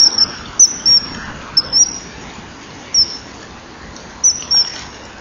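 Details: Male common kingfisher at a nest-wall camera, 21 January 2012 around 10:16, calling as it arrives on the rear perch near the nest: about eight short, thin, piercing whistles at irregular intervals over steady background hiss.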